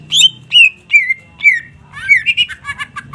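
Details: Greater green leafbird singing: four spaced, clear downslurred whistles about half a second apart, then a faster run of warbled chattering notes, over a low background hum.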